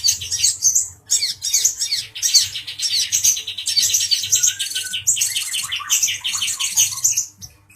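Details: Agitated male Brown-throated Sunbird singing while provoking a Grey-cheeked Bulbul: dense, rapid high twittering and chattering notes in continuous bursts, briefly pausing near one second, over a faint low hum.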